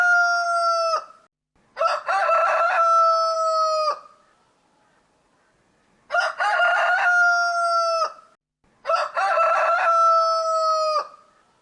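A rooster crows three times, each a loud, harmonic cock-a-doodle-doo lasting about two seconds with a stuttered start, separated by short pauses.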